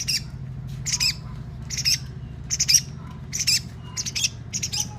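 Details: Long-tailed shrike singing as a lure to set other shrikes singing: harsh, buzzy broadband bursts repeated roughly once a second over a low background hum.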